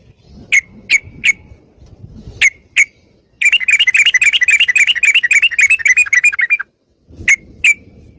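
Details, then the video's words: Yellow-vented bulbul, recorded as a lure to get other bulbuls singing: a few scattered sharp notes, then a three-second rush of rapid bubbling chatter, then more isolated chips over low background rumble. "PANCINGAN TRUCUKAN GACOR,BIKIN SUARA PIKAT BURUNG TRUCUKAN KAMU,SEKETIKA RAJIN BUNYI BUKA PARUH..!!!"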